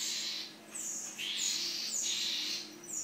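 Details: A furious parent Rufous-collared sparrow, upset by someone playing nearby, gives harsh, high, hissing scolds, about four bursts in three seconds, each fading slightly before the next.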